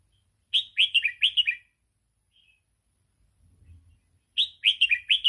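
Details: Red-whiskered bulbul singing in the Thai 'sai ble' style, used for training young birds: two bursts of a quick, chirpy phrase of rising and falling notes, separated by a pause with a faint low rumble.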